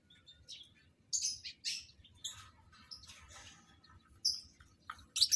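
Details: Shrill, scratchy chirps from lovebirds kept for breeding and being matched into pairs. They come in uneven bursts, with a few louder squeaks toward the close.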